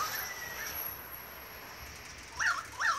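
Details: Australian magpies in Beverly Hills, Sydney, Australia, during a long August 2015 singing concert: faint distant warbling, then two loud, looping, fluty notes close together near the end over a quiet background hiss.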